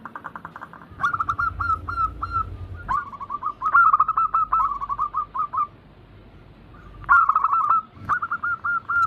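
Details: Several zebra doves (perkutut) in an anggungan cooing chorus, local and Bangkok crossing birds, played to lure reluctant doves into singing: bursts of rapid, rolling, mellow coos repeated in overlapping phrases, with brief pauses between them.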